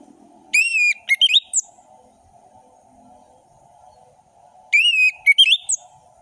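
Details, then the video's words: Full-variation ngeplong song of an orange-headed thrush, intended for young birds to imitate: two matching phrases a few seconds apart, each a clear descending whistle followed by short sharp notes and a high slurred flick, above a soft hum. "Anis merah gacor ngeplong full variasi"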